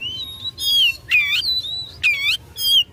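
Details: Oriental magpie-robin singing to provoke rivals: long clear whistles, sliding notes and a few harsh buzzy phrases, sung slowly.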